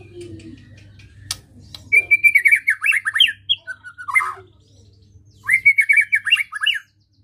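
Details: White-rumped shama song aimed at rousing emotion: quick chattering runs of bright whistled notes in two main bursts separated by a short pause, with a low-pitched note at the start and a hum underneath.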